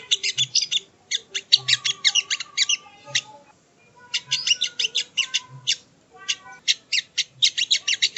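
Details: Sogo ontong training audio: three long runs of fast, sharp high twittering separated by brief silences, with faint low knocking in the background.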